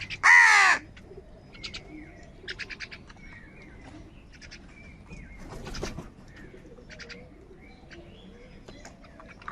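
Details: Morning crows squabbling over food. One loud, drawn-out harsh caw opens, sliding slightly downward, followed by quieter background chirping and brief buzzy notes from smaller birds.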